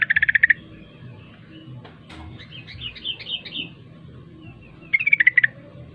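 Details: Short rapid chattering burst from a sooty-headed bulbul kept for song contests, singing in 'ropel' style, then a soft warbled phrase and, after a pause, another quick run of bright bubbly notes; steady low hum behind.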